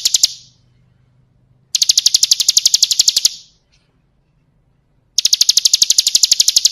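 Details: Bar-winged prinia, kristal song used as a training recording: three runs of rapid, sharp, high repeated notes, about ten per second, divided by silent gaps of one to two seconds.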